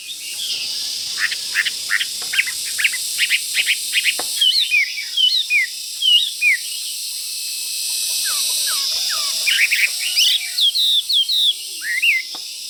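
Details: Caged Chinese hwamei of fighting type, kept near a rival and pecking the cage; a long series of short whistled upward notes, some in quick pairs, with a steady background hiss.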